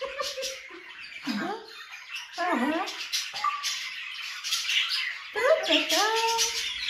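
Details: Pet grey parrot whistling indoors in a room with noisy budgerigars: swooping whistles dropping sharply in pitch, a short rising note, then a pair of sliding whistles, with a person talking and constant budgerigar chatter behind.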